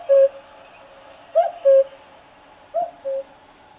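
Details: Common cuckoo singing its two-note song: a higher clear note followed by a lower, longer hoot, the pair repeated about every one and a half seconds, with a single trailing low note at the start; quiet background.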